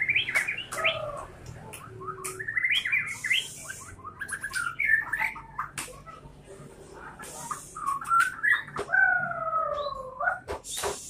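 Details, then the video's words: White-rumped shama singing a rich, varied song of rapid whistled phrases, sliding notes and quick trills, ending with longer flat whistles; short bursts of noise break in now and then. "suara murai batu MH"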